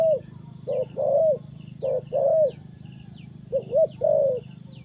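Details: Trapping scene with a spotted dove cooing, short rounded notes leading into longer sustained coos, phrases repeated at about one per second over a low steady hum and faint high chirping.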